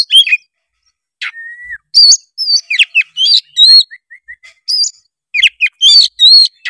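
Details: Song of a white-rumped shama, played to coax a lazy juvenile into singing; rich mix of whistled sweeps, a steady held whistle, a short series of soft repeated notes, then sharp chattering phrases.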